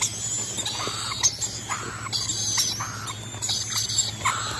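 Rainbow lorikeets give harsh, shrill screeches roughly every half second, over a steady high insect-like whine and a low hum.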